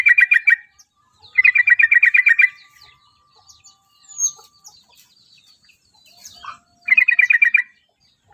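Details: Song of a yellow-vented bulbul from Java, billed as a champion in the making: rapid rattling runs of bright chattering notes, one longer run over a second, with scattered faint chirps and squeaks between runs.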